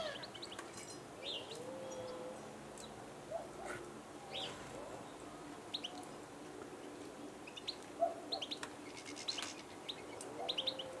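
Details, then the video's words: Eurasian siskins (Carduelis spinus) in a garden beside water on 6 March 2020, probably resting on migration to northern Europe, give thin, high twittering calls scattered irregularly over the steady sound of running water. "tarin des aulnes"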